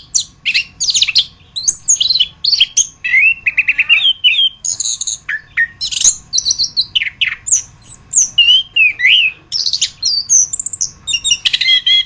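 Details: Orange-headed thrush (anis kembang) masteran song, long and continuous: varied chirps, trills, slurred whistles and squeaky notes delivered in rapid succession with hardly a pause.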